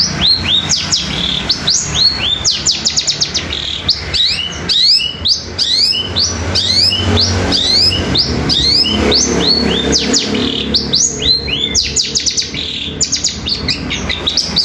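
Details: Long-tailed shrike in full rapid song imitating fighting sparrows combined with nature material: long runs of high upswept chirps and scratchy twitters, in dense volleys with brief pauses, over a faint low hum.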